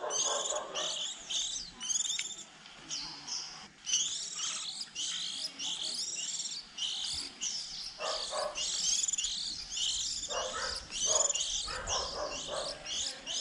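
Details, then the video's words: Early-season young white-eyes, just leaving the nest around April, used to lure birds into traps: a busy chorus of high, thin, wavering twitters and squeaks from several birds, coming in repeated bursts. "Tiếng khuyên non đầu mùa 2020"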